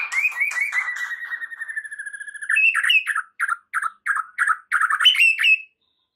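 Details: White-rumped shama song as a lure to turn a stressed bird into an energetic singer: a rapid rattling trill of even notes, then a series of separate sharp whistled notes at a steady pace.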